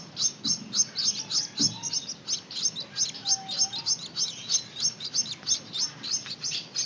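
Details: Gouldian finch chicks being hand-fed and learning to take food: rapid high, thin begging chirps repeated about three times per second, steady and insistent throughout.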